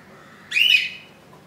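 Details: Newly hatched budgerigar chick, one inch long, on its second day in the nest after hatching on 15 July 2018; a single short, bright chirp that fades quickly, in otherwise quiet surroundings.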